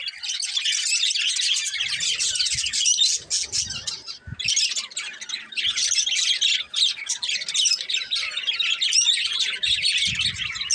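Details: Unbroken bursts of high, busy chatter from a colourful budgerigar breeding pair, fast scratchy twittering with brief pauses and occasional low knocking.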